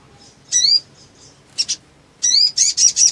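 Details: Black sunbird (sogon), excited and fluttering its wings, singing energetically; used as a trigger recording for birds that have stopped singing. Brief bursts of very high, thin, sharp notes with buzzy upslurred elements, separated by short pauses.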